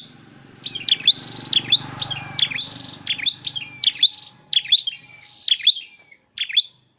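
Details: Dark-necked tailorbird, a trained decoy used for trapping, sings loud, high, sharp notes, each dipping and rising again, repeated about twice a second, over a faint low hum.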